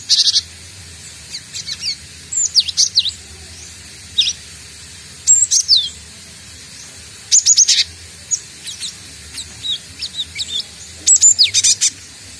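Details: Cinereous tit learning to sing, a young bird. High, thin chirps and falling whistled notes come in irregular clusters, sometimes a single note and sometimes a run of four or five.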